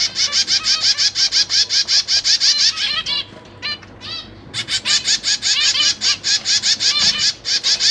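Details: Zebra finch babies being fed by busy parents in a cage: fast, steady series of harsh buzzy calls, about three per second, dropping off for a moment before resuming in an equally rapid, even run.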